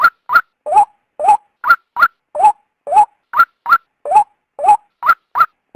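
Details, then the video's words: {'caption': 'Female white-breasted waterhen voice meant to coax a male out. A continuous run of harsh, throaty notes alternates a rising lower note with a higher clipped one, about sixteen notes in six seconds. Nothing else intrudes.'} "suara burung ruak betina"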